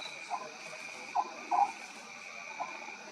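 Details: Short, low, frog-like croaking notes from an Oriental scops owl at night at Maguri Beel, Assam, India, in March 2021, four in three seconds at an uneven pace, over a steady high hum of night insects.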